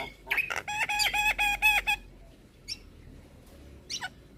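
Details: Javan myna lure song, full of fill-in phrases, used to draw replies from other mynas: a fast run of about eight nasal, harmonic notes, then a pause and a few sharp high clicks.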